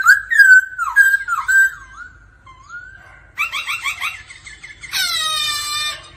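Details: A laughingthrush sings in daily voice practice, a female with ro ro calls alongside: whistled slurs, a quiet gliding note, a rapid rattling series, then a harsh drawn-out call at the end.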